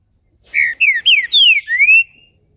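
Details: Green-winged Saltator, a captive-bred Brazilian bird, singing its main phrase: five strong whistles, four sliding downward and a final upward slur, clear and loud against a quiet background.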